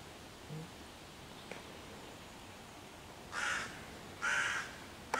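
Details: After a quiet stretch, two coarse caws about a second apart ring out from a hooded crow persecuting five young raccoons in a tree, June 2023, summoning other crows to attack.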